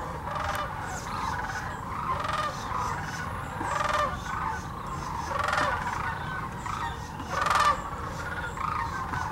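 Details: A vast sandhill crane flock at Hiwassee Wildlife Refuge, Birchwood, Tennessee, where the birds migrate yearly: pulsing waves of overlapping rattling calls, each surge rising about every one to two seconds over the steady chorus.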